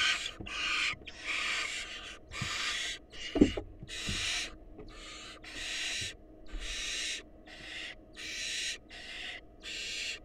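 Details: Wild barn owls at a nest box: the male presents a mouse and the female feeds it to an eager nestling. About eleven harsh, broadband hissing bursts sound in quick succession, with a dull thump near the middle.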